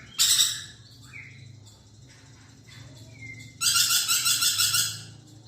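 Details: Lorikeet giving a short harsh burst, then two thin rising whistles, and finally a loud, rasping, pulsed high trill lasting about two seconds.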